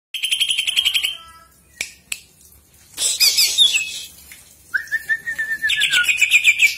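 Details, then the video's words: Greater green leafbird song used as a lure to get other birds singing; bright whistled phrases with rapid repeated notes, a level sustained whistle, then a busy trilling burst, with a couple of sharp clicks. "PANCINGAN CUCAK IJO AGAR RUTIN GACOR"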